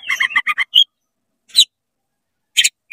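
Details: Oriental magpie-robin singing fast with its tail spread, used to rile up other magpie-robins: a quick run of short chirpy notes, then a rising whistle and a few scattered sharp notes separated by silences.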